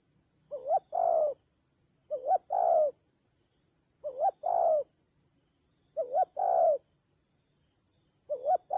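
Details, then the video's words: Spotted dove used as a decoy in a fierce fight, Central Highlands mountain forest, Vietnam, 19 October 2020: five low cooing phrases, each a quick double coo then a longer rolling coo, roughly every two seconds, over a steady high whine. "Thổ khủng.trận chiến ác liệt có thần rắn thổi còi"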